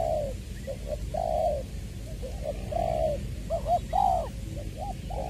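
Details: Spotted dove decoy bird from Long Đức, Trà Vinh, Vietnam, recorded 22 February 2021, with a 'giọng tiểu' voice. It gives low, mellow coos in short grouped phrases, some notes swelling longer, over a steady low background hum.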